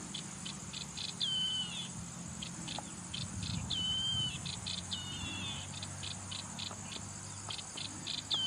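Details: Repeated clear whistled phrases of a yellow-eyed babbler, each falling slightly in pitch, come every second or two. They mix with regular pulsed insect buzzes and a steady high insect drone.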